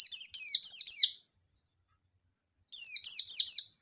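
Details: Oriental white-eye, local yellow-bellied pleci, challenging an opponent; two rapid runs of four sharp, high downslurred notes each, strung tightly together, with a silent pause of about one and a half seconds between them.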